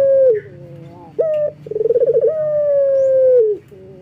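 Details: Male local collared dove in breeding condition calling to females. A falling note ends the previous call, then a short coo, a quick tremulous roll and a long steady note that sags before cutting off.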